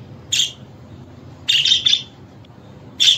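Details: Budgerigar calling sounds meant to make pet budgies sing and answer back: three short, bright chirps, a single one followed by a doubled pair and another single, with long quiet gaps between them.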